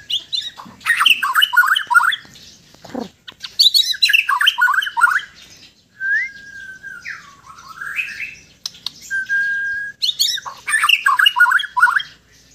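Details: Relaxed Sabah white-rumped shama from Borneo in loud, varied song: bursts of rapid chattering, scratchy notes alternate with pure sliding whistles and one looping whistled phrase, separated by short pauses.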